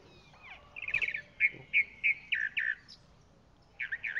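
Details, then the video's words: Chalk-browed mockingbird singing a series of short bright notes near the same pitch, repeated in quick succession with a short pause before two more notes at the end; faint background hiss. "Calandria Grande Canto - Calandria Grande - Chalk-browed Mockingbird Bird Song"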